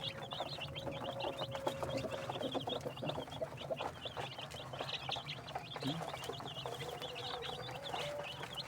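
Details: Desi chicks kept on a rooftop farm in Pakistan, heard in their daily routine; a dense flock of thin, high cheeping calls repeats without pause, over a steady low hum and occasional clatter.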